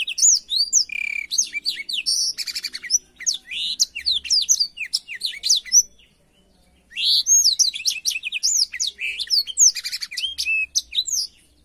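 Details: Blackthroat song, played as tutor material for canaries to copy: rapid bursts of high, sweeping whistles and trills, with a gap of silence near six seconds before another dense, varied phrase.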